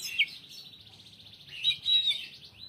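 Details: Greater green leafbird in busy, full song with short pauses: a fast buzzy trill of rapid notes held high, then louder sharp whistled slurs near the end, rising to a thin upward note.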